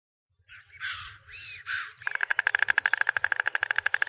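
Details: Stork making a few harsh, raspy calls, then a fast, even, dry rattle of clacking pulses, about three per second of short knocks, running steadily to the end.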